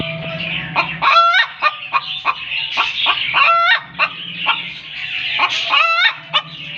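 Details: Domestic hen cackling after laying an egg: loud, insistent clucks broken by rising, squawking 'ba-gawk' notes, repeated roughly every second or two, with a faint low hum behind.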